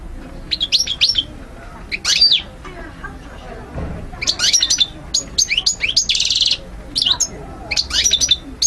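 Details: European goldfinch (mguneen) song for teaching and motivating young birds: bursts of high, fast twittering and buzzy trills, broken by short pauses between phrases, with faint low background noise.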